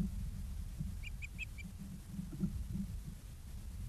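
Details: Ospreys at their nest in Charlo, Montana, filmed by a live nest camera on 09/02/2023 at 06:02: four short, sharp whistled chirps in quick succession, set against a steady low wind-like rumble.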